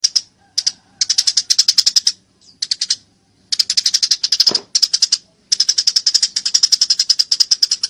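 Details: Eurasian tree sparrow in a fighting bout, recorded as clear training audio for songbirds: bursts of rapid, sharp, high chirps in runs of one to two seconds, separated by short silences, with one brief low thump midway.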